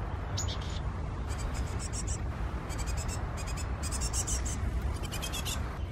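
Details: Tits feeding their young on 6 June 2016, the chicks also eating nuts; short, harsh high-pitched bursts come in clustered runs over steady low rumbling background noise.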